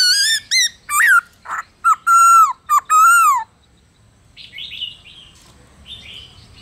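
A Black-throated Laughingthrush sings a loud, rich series of whistled, slurred phrases, some falling, others rising then dropping, followed by softer, higher chattering notes.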